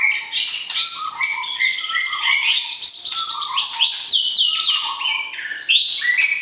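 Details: Murai batu, the white-rumped shama, in a pairing session, calling to stir the opposite sex before breeding; rich run of clear whistled phrases stepping up and down, some slurred rising notes, continuous and loud.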